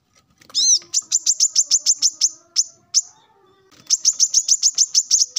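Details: Morning territorial song of a male plain-throated sunbird calling rivals: an arched note leading into a quick trill of high chirps, a brief break, then another fast chirping trill.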